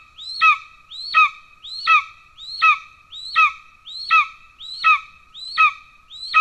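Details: At a golden eagle nest in Estonia on 17 July 2024, as the father arrives with a pigeon for an already-fed chick, a thin, high, whistled call with a downward slur repeats steadily about every three-quarters of a second, over a quiet background.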